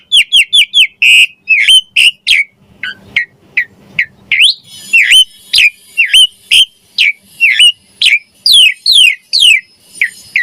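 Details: Repetitive gacor song of a Javan pied starling for training songbirds: short emphatic rising whistles repeated over two times per second, with a steady high ringing tone in the middle section.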